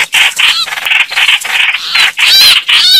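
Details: Red-whiskered bulbuls fighting: loud, harsh, scratchy chattering bursts with wavering whistled notes, packed closely in uneven rhythm, about eighty bursts a minute, with no other clear sounds.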